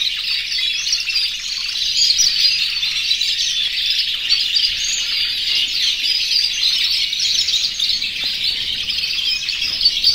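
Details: Over a hundred yellow, red and white canaries singing in an aviary in breeding condition, calling the females; a thick, steady blend of high warbles, trills and sharp chirps lasting throughout.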